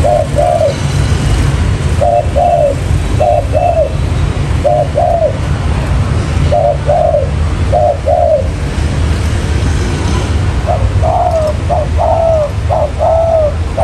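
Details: Spotted dove lure recording for catching wild doves: a long run of soft, evenly spaced coo pairs, closing with a louder, busier phrase group, all against a steady deep hum.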